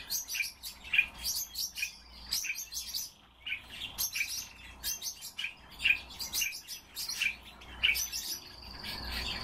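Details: Common starling kept by a bird keeper, singing a long mix of rattling clicks and scratchy squeaks, including a drawn-out buzzy high note near the end, over low background hum.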